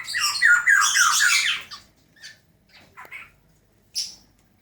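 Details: Fledgling black-naped oriole 'ngeriwik' chatter: a loud, dense burst of grating squawks for over a second, followed by scattered single harsh notes and a short high squeak.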